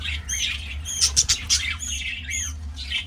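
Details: Budgerigars kept for breeding give nasal, harmonic squawks that bend up and down, a few loud sharp chips near the middle, all over a soft droning hum.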